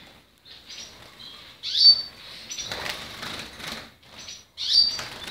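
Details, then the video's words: Portuguese Harlequin canary giving short, high, sharp chirped notes in scattered bursts, with a soft rustling, flapping flurry in the middle and quiet gaps between phrases. "Arlequim Português"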